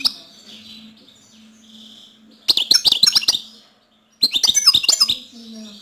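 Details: Goldfinch song in two quick, liquid twittering phrases of about a second each, dense high chirps and trills, with a faint low wavering hum between them.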